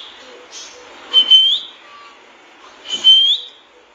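A lory gives two shrill, slightly rising whistles about two seconds apart, each opening with a brief rasping burst, over a quiet background.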